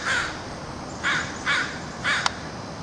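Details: City crows gathering to feed, giving four short hoarse caws spaced about half a second to a second apart over a steady background hiss, with a brief sharp click near the end.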